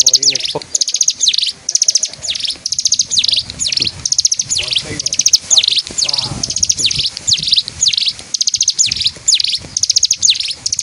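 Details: East Javanese mountain bird that tutors competition stone magpies in Kediri Regency, Indonesia, singing and dancing: sustained chatter of shrill repeated chirps grouped in short bursts about every half second, continuing steadily throughout.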